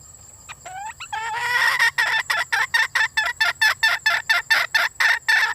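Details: Female red junglefowl calling for a mate: a few thin rising squeaks, then a loud run of about fifteen harsh, clipped clucks, roughly three each second, over a steady high-pitched insect drone.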